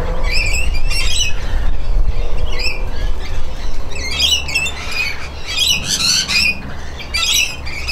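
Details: Rainbow lorikeet, a pair said to drive other lorikeets away before bathing, calling during a bath; harsh rasping squawks in dense bursts, several overlapping, with steady low rumble underneath.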